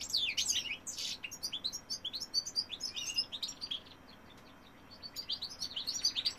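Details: A male European goldfinch in song gives lively, high, tinkling twitters, louder at first. It fades into a short lull, then resumes with quick chirping phrases.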